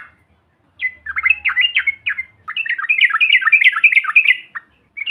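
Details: Chatter from the yellow-vented bulbul, used to stir other birds: a few separate swooping notes building into a long, rapid, bubbling run, ending with a brief final note.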